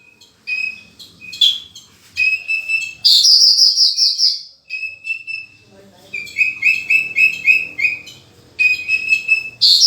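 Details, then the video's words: Horsfield's bush lark singing energetically with a full repertoire of filled-in phrases: bursts of bright, high chirps and quick runs of evenly repeated sharp notes, separated by short pauses. "Burung Branjangan Gacor full isian"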